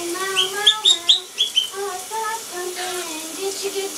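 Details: Pet blue monk parakeet imitating the Gitchi Gitchi Goo song from Phineas and Ferb. A few quick, bright chirps open the passage, followed by steady, sung-sounding notes that glide up and down.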